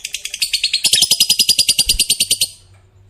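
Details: Fighter lovebird in its long 'ngekek' trill, said to start other lovebirds calling: a rapid rattling series of pulses, roughly seven per second, running for about two and a half seconds before stopping.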